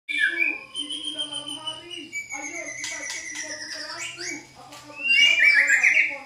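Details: White-rumped shama song played as a lure to provoke a caged shama into answering; long slurred whistles falling in pitch, then fast rattling notes and a loud burst of bright chattering trills near the end, over a steady low drone.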